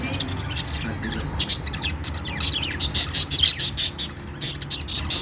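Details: Budgerigars making a happy sound: quiet at first, then a busy run of rapid high chirps and warbled notes through the second half, over a soft low background hum.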